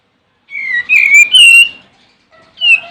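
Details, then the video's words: Olive-winged bulbul (Pycnonotus plumosus) singing to call a rival, played as a lure for other bulbuls; a loud bubbly warble of linked whistled notes, slightly rising and falling, then a short whistled tail after a pause. "Suara Burung Kapas Tembak Manggil Lawan"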